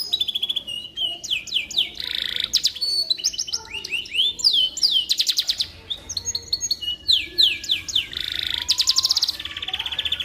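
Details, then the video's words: Canary singing as tutor material for magpie-robins: long run of quick rattling trills alternating with swooping whistled notes and short buzzy bursts, steady and unbroken, a faint low hum beneath. "Suara Burung Kenari Cocok Untuk Masteran Burung Murai Batu"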